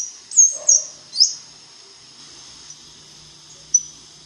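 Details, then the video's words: Black-chinned mountain tanager (Anisognathus notabilis) gives three quick high, thin squeaky notes in about one second, then a lone faint high note, over a steady high hiss. "O canto do Sanhaço da montanha de queixo preto"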